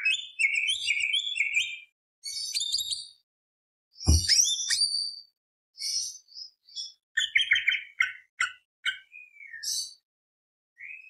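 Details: Greater green leafbird, a constant singer, in a full-varied lure song meant to rouse other birds: bursts of rapid warbled twitters, buzzy notes and whistled slurs, broken by short gaps, with one low thump.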